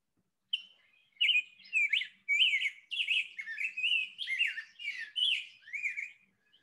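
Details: A Rose-breasted Grosbeak (Pheucticus ludovicianus) sings a long, very clear, sweet warbled phrase of smooth whistled notes rising and falling, running without pause for about six seconds.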